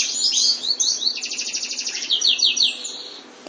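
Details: White canary in full song: high twittering phrases flow into a rapid pulsed trill and then quick descending sweeps, all continuous, with a faint steady hum underneath.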